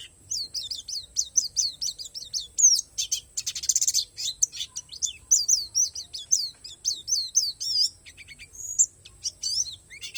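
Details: Oriental white-eye of the Borneo palas type, song filled with natural phrases: a fast series of high chirps, a loud harsh burst, then more rhythmic downslurred notes and a few clear whistles.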